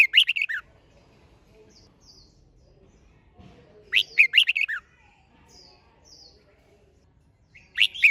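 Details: Red-whiskered bulbul giving stimulating contest song. Quick, bubbly phrases of several sharp warbled notes recur roughly every four seconds. Brief high whistles from another bird and quiet hum sound between phrases.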